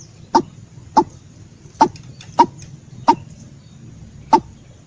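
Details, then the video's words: White-breasted waterhen giving single short, hoarse notes spaced roughly every three-quarters of a second, with quiet pauses and faint low background noise between them. "suara ruak ruak jitu"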